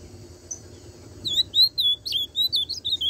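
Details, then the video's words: An ultramarine grosbeak's tucano song begins after a quiet moment: a clear run of bright, bouncing whistles, some sharply rising and falling, continuing to the end over a low steady hum. "Azulão tucano"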